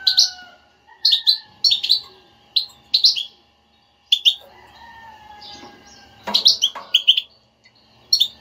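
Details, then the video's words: A motivating goldfinch batbata for silent birds: rapid chirps and twitters in tight groups, a pause, then a dense buzzy chattering run, with faint whistled tones and a low hum in the background. "حسونك لا يغرد أسمعه هاته البتبتة وشاهد النتيجة"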